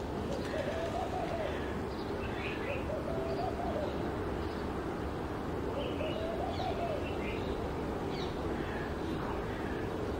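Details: A European turtle dove (Streptopelia turtur) sings in Israel, purring low, rolling phrases that rise and fall, repeated every few seconds, with faint chirps of small birds and steady background hiss.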